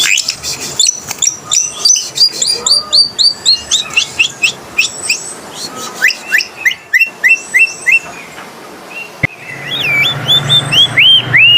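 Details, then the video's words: Kuling, or coleto, an endemic Philippine starling: fast series of clicking, whistled notes about three a second, a short pause, then loud swooping, ringing whistles over a low background hum. "COLETO / KULING SOUNDS"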